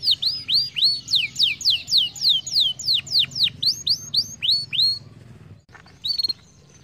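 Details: Stimulating canary song: a steady series of loud falling whistles about two per second, fading out after five seconds, followed by a short final chirp over a low hum.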